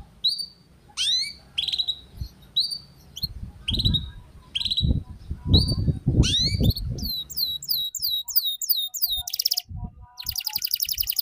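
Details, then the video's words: Young learner canary, ngeriwik style. Repeated upswept whistles about every second lead into dense rapid chirping runs and buzzy trills, with low thumping noises in the background. "Suara PANCINGAN Kenari Paud Belajar Bunyi Ngeriwik"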